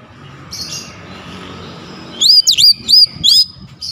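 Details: Oriental magpie-robin (kacer) song used to prompt lazy birds to sing: after quiet background hiss, a burst of four or five sharp, clear, rising-and-falling whistles in rapid sequence near the end.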